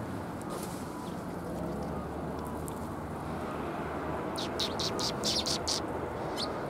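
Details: Sparrows arriving to be fed at a Tenmangu shrine, 27 February 2021: quiet at first, then a quick cluster of sharp, high chirps in the second half against constant low ambient noise.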